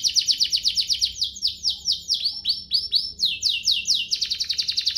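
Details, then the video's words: Domestic canary singing a rich, varied song meant for tutoring young birds: continuous rapid trills of high sweeping notes, changing speed and pitch, with a few faint low tones underneath. "Cengkoknya MEWAH, Efektif buat Masteran kenari paud dan pancingan kenari biar gacor"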